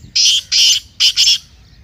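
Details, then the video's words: Black francolin calling, a sound meant to stir a kept francolin: four strident, rasping notes grouped in two pairs, each note harsh and grating, then quiet. "Kala Teetar masti aur chakri k liye behtareen awaz/Black Teetar Voice"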